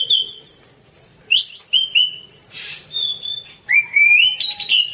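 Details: Whistled song of the orange-banded thrush, for masteran: descending and rising slurred notes, a noisy rasp in the middle, ending with a long upward-gliding whistle.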